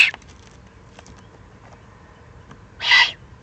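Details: Excited juvenile Eurasian eagle-owls in the Eifel, recorded 21 June 2020: a single harsh, hissing screech lasting about a third of a second, with a clipped fragment of another at the very start, over quiet background.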